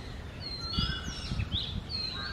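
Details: Early-morning song of Oriental magpie-robins, male and female, in summer breeding season: long clear whistles, gliding and slurred, alternating high and lower notes, with a low rumbling background throughout.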